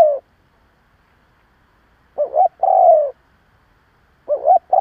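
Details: A decoy spotted dove coos to incite rival doves. A falling coo ends, a full phrase of two brief notes plus a drawn, descending croo follows, and another phrase begins at the end.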